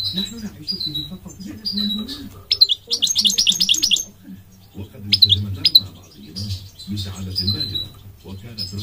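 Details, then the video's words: Migratory goldfinch song: clear downslurred whistles, a fast rattling trill lasting over a second, then more scattered twittering notes and chirps, with a low wavering hum and rumble underneath throughout. "The elegant migratory goldfinch sings the most beautiful singing"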